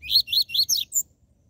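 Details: Captive double-collared seedeater singing the TUI TUI ZEL ZEL song style, used to stimulate other caged birds: four fast, buzzy, down-slurred high notes in quick succession, then a thin higher note, with no other sounds.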